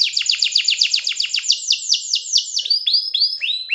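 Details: Canary delivers a rapid series of high descending chirps, about five per second, that slows into longer, spaced, downward-sliding whistled notes.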